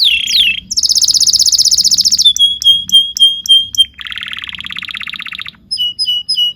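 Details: High-pitched canary training song for young canaries: a swooping whistle, a fast dense trill, a string of held pure whistled notes, then a lower buzzy roll and clipped whistles, over soft background chatter.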